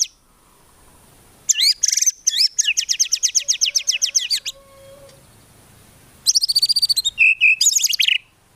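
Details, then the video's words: White-rumped shama in lively gacor song full of tembakan bursts and no ngukluk notes, used to train songbirds: rapid runs of high rising-falling notes, a short pause with faint low tones, then a fast chattering burst and whistled slurs. "MURAI BATU GACOR FULL ISIAN TEMBAKAN MEWAH GAK ADA NGUKLUK NYA"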